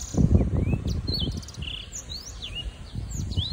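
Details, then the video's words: A young black-throated canary, aged six months, gives scattered high whistled sweeps and short chirps, some rising, some falling, over strong low rumbling noise that is loudest at the start. "Black-throated Canary (Crithagra atrogularis) singing"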